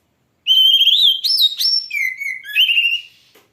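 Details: Oriental magpie-robin, known locally as kacer, delivering a strong continuous whistled phrase: level pure notes, a quick upward jump, then lower slurred whistles and a final rising note.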